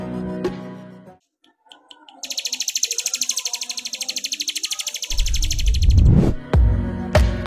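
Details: Brown Prinia (perenjak coklat), ranging across Indonesia, Southeast Asia and southwestern China, giving a fast, even run of sharp, high ticking notes, about ten a second for three seconds, with speech and music before and after.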